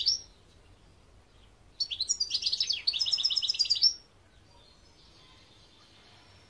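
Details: European goldfinch in 2021, singing a two-second phrase of rapid, tinkling twitters: sliding high notes followed by a dense run of buzzy, repeated trills, then quiet with a faint lingering tone.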